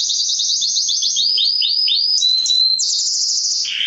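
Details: Mosaic canary in song to stimulate mating and teach chicks, rapid rolling downward-sweeping notes, a clear pure whistle, a high buzzy trill and a lower closing phrase.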